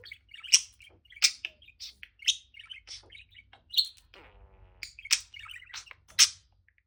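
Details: Male budgerigar kept as a pet, singing on a swing: loud sharp chirps repeated about every second, each trailed by soft twittering notes.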